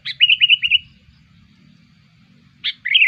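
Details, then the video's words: Lure call of the sooty-headed bulbul: a brisk series of four rolling bubbly notes fading out, silence, then a sharp note and another warbling phrase starting. "SUARA PIKAT KUTILANG BUAT KUTILANG KALIAN GACOR"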